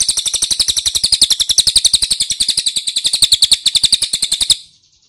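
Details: Ashy tailorbird lure call meant to draw an answer from other birds: a steady, fast series of high, sharp repeated chips lasting about four and a half seconds, then stopping abruptly.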